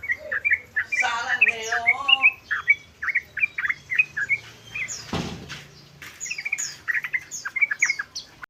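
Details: Yellow-vented bulbul (trucukan ropel) repeating bubbly chirped phrases at a steady pace, a brief harmonic nasal note early on and a sharp click midway, low hum beneath.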